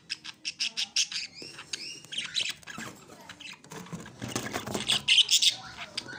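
Young budgerigars give rapid, raspy chirps and squeaky rising notes in a busy, overlapping chorus.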